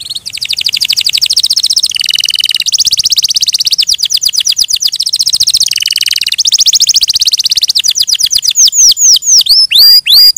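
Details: Canary singing long rolling trills that shift between higher and lower tours, ending with slower, loud looping whistled notes.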